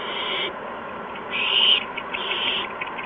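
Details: Owlets in a nest during an evening food delivery on March 13, 2015, around 8 PM; three softer rasping hisses, the middle one loudest, over a steady background hum.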